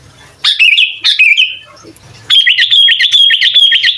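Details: Sooty-headed bulbul master song meant to rile other bulbuls: two short falling whistled notes, a pause, then a sustained rapid trilling phrase held level for nearly two seconds.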